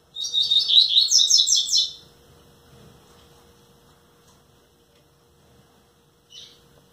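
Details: Caged rusty-collared seedeater, a nine-month-old bird nearly ten months, sings one fast burst of about two seconds: rapid buzzy high trills repeated in quick succession, then near silence with a brief chirp near the end; faint room hum.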